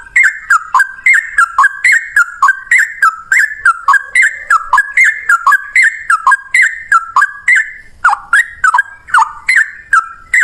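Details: Yellow-vented bulbul male delivering long 'ropel panjang' fighting song, a lure to trigger singing: steady chain of liquid downslurred phrases repeated over and over at an even, quick pace with a single brief hitch.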